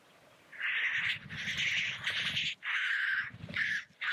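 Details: Black grouse display at the lek: rasping hissed calls run almost back to back for over three seconds, broken by brief pauses, over low drumming flutters.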